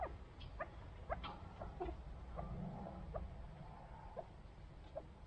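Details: Kept chukar partridges give short, sharp clucking notes about twice a second at an uneven pace, over a steady low rumble of background noise; chukar partridge.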